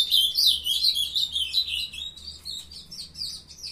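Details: Young captive Ultramarine grosbeaks singing: an energetic opening of bright, quick warbled notes, fading into softer, scattered chirps.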